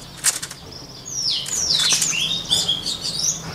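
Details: White-rumped shama, a voice-training model for shamas: a few sharp clicks, then one long sweeping whistled warble that dips and rises, ending in quick varied notes over a faint low hum.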